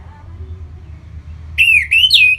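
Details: Orange-headed thrush song meant to spur other birds to sing: after near silence, a short loud phrase of two slurred whistles, dipping then rising, ending in a sharper upward note.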